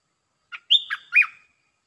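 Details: Red-breasted parakeet as a decoy, calling a wary wild territorial bird down toward a cage: one brief phrase with a soft opening note, a long level whistle, then two falling, bending notes, in a silent background.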